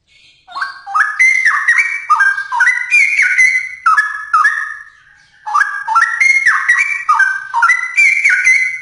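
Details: Straw-headed bulbul in full song, two long phrases of bubbling, mellow whistles that leap between low and high notes, each phrase rising in steps, separated by a brief pause.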